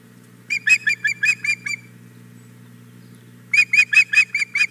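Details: Begging female osprey, Hog Island Boathouse nest, morning of 4 May 2017, after the male brings a fish. Two separate bursts of about six rapid, ringing whistled chirps each, divided by roughly two seconds of near silence with faint low hum.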